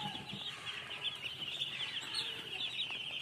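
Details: Chicks peeping rapidly, a continuous mass of high, short cheeps repeated almost three times per second and overlapping among several birds, over a faint low hum.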